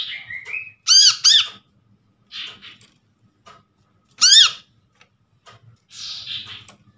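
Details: Lure recording of a brown-throated sunbird from a trapped bird: a loud double arched note and later a single one, mixed with softer buzzy chattering and a short rising squeal, over faint low noise.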